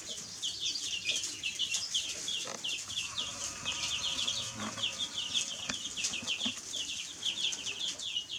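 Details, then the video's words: Baby chicks chirping densely: an unbroken stream of shrill, short, sliding peeps from many birds, with faint low thumps and a soft hum underneath. "Baby Chicks Chirping Sounds"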